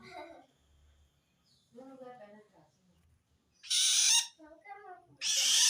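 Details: Long-tailed shrike calling toward wild shrikes, a sound said to show it is threatened by another shrike: quiet scratchy notes, then two loud, harsh, scraping bursts near the end.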